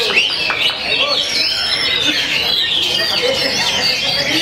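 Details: A kept oriental magpie-robin singing calmly at the hanging pole pours out a fast, unbroken stream of varied high whistles and chirps, with other birds and faint voices mixed in.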